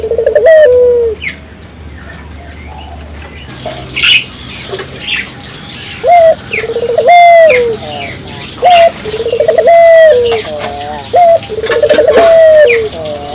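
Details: Barbary dove singing vigorously, a recording meant to stimulate local doves to sing: a low rising coo with a rapid trilled middle and a drawn-out falling end, repeated about every two to three seconds, with higher chirps from other birds and a steady high whine.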